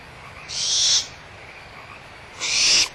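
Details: Excited barn owl chicks at Audubon Starr Ranch Sanctuary, 17 April 2011, in a small dispute over leftover food: two harsh, noisy hisses about two seconds apart, backed by a thin, steady chorus of frogs.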